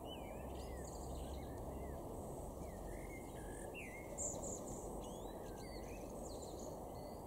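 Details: Male common blackbird (Turdus merula) singing in a garden in Weener, East Frisia, northwest Germany, May 2021: low, fluty warbled phrases with thin squeaky twitters at their ends, against a steady rumble of background noise.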